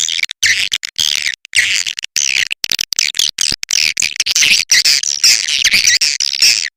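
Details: Swiftlet call played to attract birds to a nest house: busy, overlapping buzzy twitters and chirps in quick irregular bursts, about two a second, over a low background hum.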